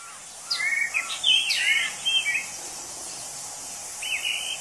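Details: A few tumbling, slurred whistle phrases from a wild orange-headed thrush, whose song is likened to a drunk person, followed by a pause and one softer phrase, all over a steady buzz of insects.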